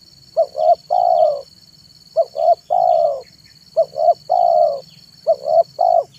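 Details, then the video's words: Decoy spotted dove (tekukur) singing in the afternoon: rhythmic coos, four phrases of two short hoots followed by a long drawn note, evenly spaced. Faint small-bird chirps and a constant high whine in the background. "SUARA BURUNG TEKUKUR MANGGUNG DI SORE HARI"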